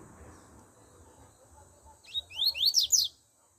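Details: Double-collared seedeater song bursting in after a quiet stretch: a rapid sequence of high, sharply slurred whistles sweeping up and down, delivered in a brief energetic cluster lasting about a second.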